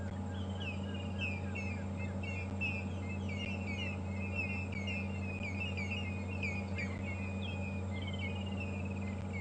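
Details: An African grey hornbill gives a long run of thin, piping whistled notes, several each second, over a steady low engine rumble, heard on a morning safari drive at Djuma Game Reserve on 4 February 2015.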